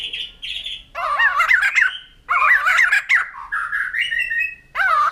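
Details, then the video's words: White-crested laughingthrush (poksay jambul putih) giving loud, wavering, squawky phrases in several bursts separated by short pauses, with a long sliding whistle-like section in the middle and a harsh chattering burst at the close. "Poksay Jambul Putih || Burung Tertawa"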